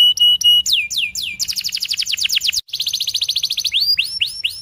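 A canary sings a bright, high song: steady piping whistles, falling swept notes, then a fast rolling trill of repeated syllables ending in rising whistles.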